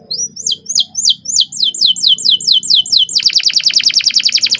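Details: A canary sings a long roll, repeating hooked high notes at a steady pace before switching into a dense fast trill, over a soft low background hum.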